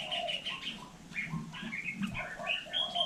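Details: Vietnamese hill myna copying human speech, giving a steady stream of short, bright, speech-like syllables and whistled notes in quick succession, with slight pitch jumps between them and a quiet low rumble behind.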